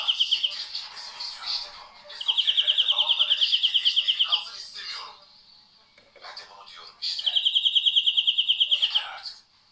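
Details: Singing European greenfinch: a short trill, then twittering, then a loud rattling trill of quick repeated notes lasting about two seconds, more varied chirps and twitters, and a further long trill before the song cuts off.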